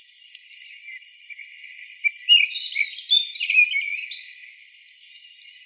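Common blackbird singing varied warbled phrases, with falling fluty notes, high squeaky twitters and short pauses between bursts.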